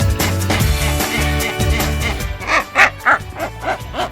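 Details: A wreathed hornbill gives a run of loud, barking yelps, about three a second, after a stretch of background music; this very loud call is said to be given when the bird wants to eat or is frightened.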